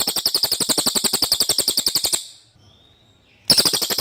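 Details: Common iora singing its clear song for magpie-robin tutoring. A long, fast, high-pitched chattering trill fades out. After a second of near silence, a new burst begins sharply.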